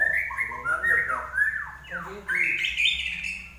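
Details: Common iora in lively song for tutoring pet birds; a quick run of varied whistles, several sharp downward slurs, then a brighter rising phrase, with a soft low hum behind.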